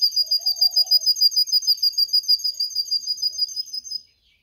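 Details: Singing canary, recorded for training other canaries to sing, delivers a rapid, regular rolling trill of bright high notes, roughly three pulses a second, ending abruptly into silence.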